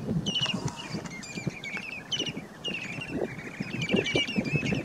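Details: Short-billed Dowitchers, mostly hendersoni subspecies, feeding on floating mud at Point Pelee, Ontario, on 11 May 2019, give quick, high chattering notes in short bursts, several birds overlapping, over a low rumble of wind or water.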